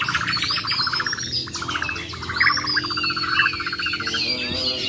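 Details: Competing champion Bornean white-rumped shamas, singing besetan and tembakan styles, repeat buzzy rattling trills in short runs, with faint high whistles behind.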